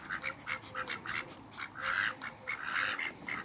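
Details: Three Pekin ducks meeting in a backyard, calling in loud, harsh nasal quacks, irregular and overlapping, with a longer drawn-out quack near the middle; background otherwise quiet.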